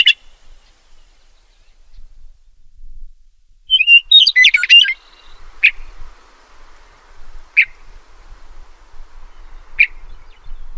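A meadowlark gives one quick, jumbled phrase of bright, gurgling notes. Single sharp high chips follow about every two seconds.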